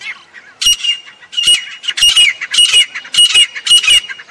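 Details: Grey francolin calling in a series of loud, rasping notes with a sustained whistled tone that bends downward, repeated about twice per second after a faint start.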